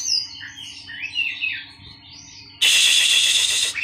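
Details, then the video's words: Colony-kept Oriental magpie-robins, grouped to calm a skittish bird and accustom it to crowds. Flowing whistled phrases, then a sudden loud, harsh hissing rattle that lasts to the end. "kacer giras dikoloni saja"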